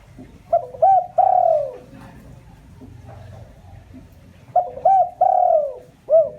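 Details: Spotted dove cooing as a lure to excite wild doves: two complete phrases, each with quick double notes, a long smooth note sliding downward and a short upturned ending coo.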